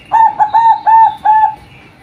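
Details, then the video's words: Female zebra dove (perkutut) giving a short run of four soft, hollow coos, each low, steady and slightly bending, closely spaced, then fading into quiet background hiss. "MENDENGARKAN SUARA BURUNG PERKUTUT BETINA"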